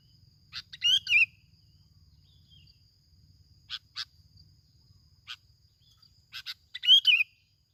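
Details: Sooty-headed bulbul from Bình Thuận, Vietnam, used as a lure bird: two short bubbly warbled phrases near the start and end, with sharp clipped chirps scattered between and a steady high electronic tone throughout.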